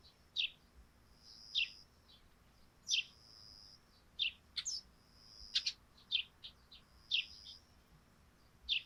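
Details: Busy sparrow chirping from a thatched roof covered in morning dew: many short, high chips at irregular intervals, some in rapid doublets, nearly one per second, over a light background hiss.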